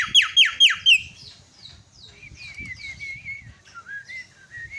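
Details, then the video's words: Myna lure sound meant to provoke a myna that has stopped singing into chattering: three loud falling whistles in quick succession, then softer wavering high whistles and warbles over faint low murmurs. "sekali pencet langsung cerewet terapi jalak macet"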